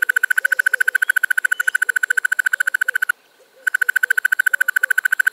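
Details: Male Crested Barbet song: a long, fast, even rattling trill of dry ticking notes, about three to four per second, with one brief pause midway.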